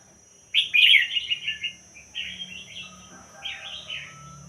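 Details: Caged red-whiskered bulbul of a Thai pied-head line singing: one loud bright warbled phrase, then two softer rolling phrases, clear and close with little background.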